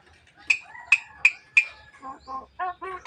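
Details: Javan myna said to be talking and coughing; four sharp, loud clicking notes about a third of a second apart, then a run of lower, rough, voice-like nasal sounds.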